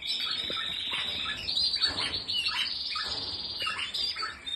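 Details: Canary associated with Spanish Timbrado and Malinois breeds delivering a rich rolling trill that runs almost without break, overlaid with fast chirped flourishes and a few low taps.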